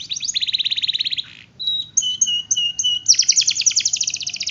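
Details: Canary song from a master training recording: a quick even trill, a pause, then pure whistled notes stepping between two pitches before a fast, dense rolling trill.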